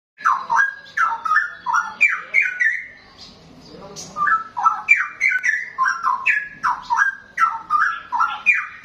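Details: Young wild-caught straw-headed bulbul pours out loud, rich, bubbling phrases of mellow warbled notes, pauses briefly midway, then resumes the gurgling, rollicking song.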